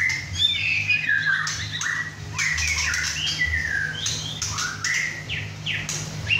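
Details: Hand-kept male White-rumped shama aged six and a half months, in his first session at home alongside two other birds, pouring out fast whistled slurs and harsh rasping notes without pause.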